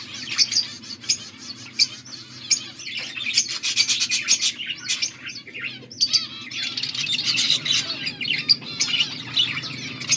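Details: Budgerigars chatter, recorded August 14, 2024: rapid high chirps and warbling from several birds, with clicking bursts and a steady low hum beneath.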